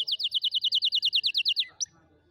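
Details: Canary song for teaching young canaries: a rapid, even trill of high sweeping notes that stops abruptly, followed by one short upward chirp and quiet.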